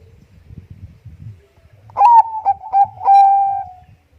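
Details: Bangkok-type zebra dove singing energetically, used as a lure recording: a few clipped, ringing coo notes followed by a longer, steady cooing note, clear and mid-pitched over faint low rumbling.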